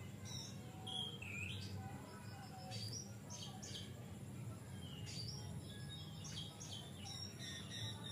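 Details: Captive Oriental magpie-robin in full song, used to lure and stimulate untrained birds: a varied run of swooping whistles and quick downslurred notes, moderately loud over constant low-pitched background rumble.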